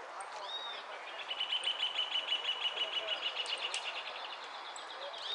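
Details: Saffron finch, the first-place bird in the amarillo de repique category at a singing contest in Monte Grande on 15 December 2013, giving a fast, even, high trill of repeated chips at steady pitch, with other birds and a murmuring crowd behind.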